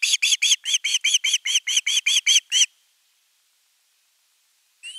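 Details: Osprey chick at the nest begging long for fish: a rapid burst of about thirteen shrill, arched squeals, then silence, and one more cry starting at the end.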